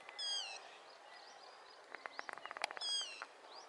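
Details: Yellow-wattled lapwing calling while running: two sharp, high, slightly falling calls with layered overtones, at the start and near the end, separated by a rapid burst of dry clicks and taps, with faint birdsong behind.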